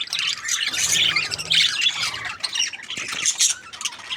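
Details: Parakeets chatter in a loud mix of harsh squawks and twittering, with louder bursts near the start and middle and a faint low hum in the background.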